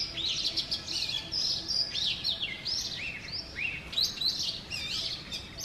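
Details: Oriental magpie-robin male in full morning song outside a house in Sialkot, Pakistan, delivering bright, rising and falling whistles and sweet slurred notes in quick separate phrases, with faint background hum.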